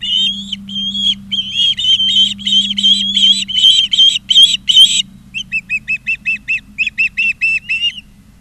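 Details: High whistled chirps from Ospreys at the Charlo, Montana nest, 20 August 2023, build into an intense rapid chatter. They then shift to a row of short, evenly spaced peeps that fade toward the end, with a low hum behind.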